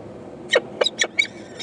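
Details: Four hungry peregrine falcon eyases begging from their mother, 14 May 2012; a quick run of five rasping chips, roughly one every quarter second, over a soft hiss.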